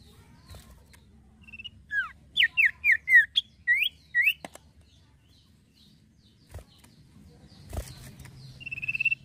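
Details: Energetic male common iora giving a quick series of about eight bright falling whistled notes, followed by a few knocks and a rising sustained note at the end.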